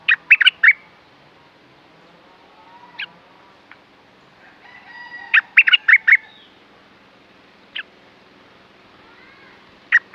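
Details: Caged red-whiskered bulbul singing in bursts: quick clusters of loud, sharp warbled notes separated by isolated single chirps and quiet gaps, with soft rising whistles in between.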